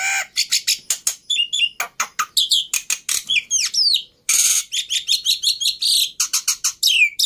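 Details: Black-winged myna singing a busy, loud medley of clicky chirps, sliding whistles and rasping notes, broken by one short pause and a long harsh buzz, then resuming with repeated downslurred whistles.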